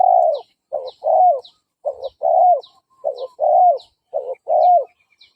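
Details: Spotted dove used as a decoy, cooing to provoke fighting males: steady repeated pairs of a short and a longer downward-bending coo, about one per second, with light high chirps in the background.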